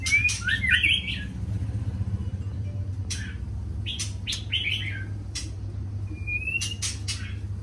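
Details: White-rumped shama singing in the morning: short bursts of bright warbled whistles and sharp clicking notes, separated by pauses, over a steady low hum.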